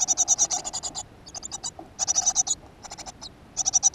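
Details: Great tit at a nest box in a school garden, recorded 7 June 2015: bursts of rapid, harsh, high-pitched notes, each burst lasting about half a second to a second, broken by short pauses and repeated several times.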